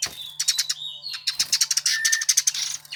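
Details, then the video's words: Quick, sharp, high-pitched chirps from a Eurasian tree sparrow, a bird popular with Indonesian songbird fans. The chirps come in rattling clusters broken by a couple of short whistled slurs, with a soft constant hum behind. "Burung Gereja yang Banyak dicari Kicau Mania"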